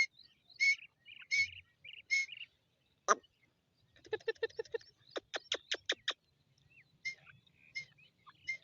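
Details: Dakhni grey francolin (Ortygornis pondicerianus) with chicks: repeated high chirping notes about every three-quarters of a second, broken by a sharp crack, buzzy pulsed rattles and a quick run of clicks.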